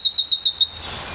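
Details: One-year-old Yarrell's siskin mule, bred from an intensive green Fife canary, sings five quick, high, down-slurred twittering notes in about half a second, then trails off into quiet background hum.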